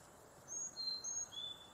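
Carolina chickadee singing four clear, pure whistles, fee-bee-fee-bay, alternating high and low notes over about a second, with faint background hiss.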